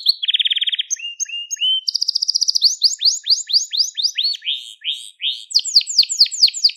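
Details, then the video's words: Crested Gloster canary singing, recorded to train young birds: a low dense trill, flat whistles, a high rolling trill, then a long series of repeated upward-sweeping chirps. "Muhteşem Tepeli Gloster Kanarya Ötüşü | Gloster Kanarya Sesi"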